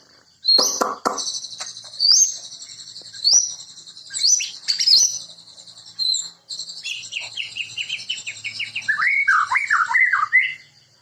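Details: White-rumped shama, locally called murai, singing: high thin whistled notes over a steady shrill background, then a rapid run of rich warbled phrases that dip and rise toward the end.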